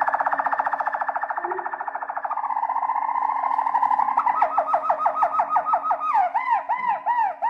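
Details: Harz Roller canary delivering a deep continuous rolling trill that shifts into rhythmic repeated hollow notes and then soft falling glucking phrases, with a faint steady hum underneath.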